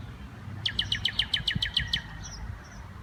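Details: Northern Mockingbird, a mimic of many other birds that sometimes repeats a call, giving a rapid even series of about ten sharp chip notes, roughly eight per second, then softer faint notes, with low rumbling background noise.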